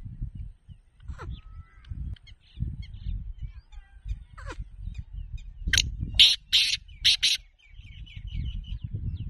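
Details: Black francolin gives a quick series of five loud, harsh, grating notes, with thin chirps of small birds and a low wind rumble throughout.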